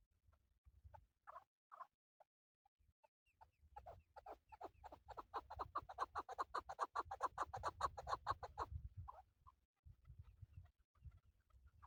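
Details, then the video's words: Male chukar partridge used for hunting, with scattered single clucks that build into a fast, dense series of rhythmic chuck notes before stopping abruptly, over a low rumbling background. "Male chakoor shikar kekliksesi"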